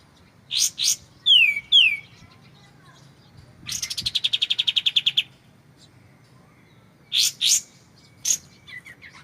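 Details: White-shouldered triller, clear-voiced, for training white-rumped shamas: double chips, two falling whistles, a fast pulsed buzzy trill lasting over a second, then more paired chips and soft notes.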